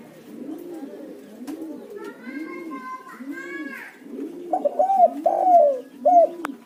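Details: Spotted dove calling as a lure for other doves: a lower dove coos in a steady rhythm about once a second, a short whistled sound passes, then a louder three-note cooing phrase enters.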